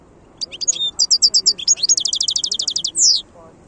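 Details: Twittering song of a wild European goldfinch: sharp high chips and tinkling notes followed by a long fast trill and a final buzzy downslurred note, against a quiet backdrop.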